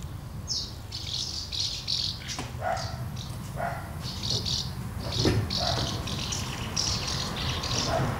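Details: Many common house martins gathering at two nests while feeding young, recorded 24 August 2012: repeated short, dry, buzzy chirps in quick bursts, with rustling and scuffling noises between them.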